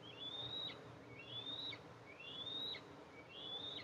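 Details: At the nest of Eastern imperial eagles on July 14, 2024, the mother arrives to feed two eaglets. Four drawn-out high whistles, each rising slightly before a quick drop, come about a second apart over faint background hum.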